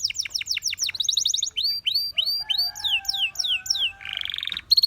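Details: Canary song for training: sweeping downslurred notes, a quick trill, slow repeated arched whistles over a faint low hum, then a buzzy roll and a clear held note.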